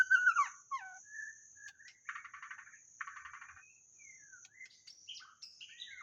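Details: A white-rumped shama used as a decoy for trapping gives loud whistled notes, then two bursts of rapid rattling chatter, followed by scattered rising whistles, with a steady high whine underneath.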